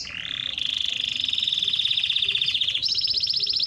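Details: Singing canary, used as a training song to excite hens for mating, delivers a steady, rolling trill of very fast pulses that steps abruptly up to a higher, buzzier roll near the end.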